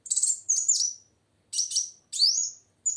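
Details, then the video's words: Energetic female plain sunbird calling to stir males to sing: dense, scratchy high twitters run into sweeping tweets, with a long rising note near the end. "Suara Kolibri Wulung Betina Gacor Untuk Memancing Bunyi Kowul Jantan Macet"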